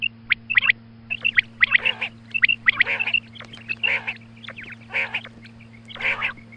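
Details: In the morning a female quail gives quick high whistles followed by rough, buzzy harmonic calls about once a second, with a low hum in the background.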